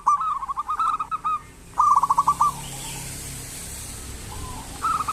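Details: Local zebra dove in full voice, played as a lure to get lazy doves calling: two quick bursts of rapid, staccato, mid-pitched cooing notes, the second shorter, with a fresh burst starting at the end over a quiet background.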